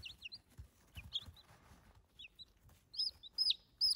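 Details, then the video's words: Cute baby chicks peeping: thin, high, downslurred peeps, sparse at first and then louder and clustered toward the end, with light scratching in the background. "Cute Baby Chicks ASMR"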